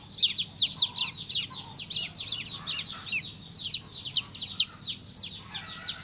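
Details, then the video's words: Baby chick chirping: high, thin peeps that slide downward, coming in quick overlapping runs of about two per second, with a brief lull midway and faint low background hum. "Cutest baby chick chirping sound"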